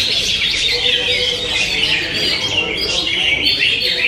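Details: Rapid, busy chattering song of a greater green leafbird, full of quick high chirps and slurred notes running without pause.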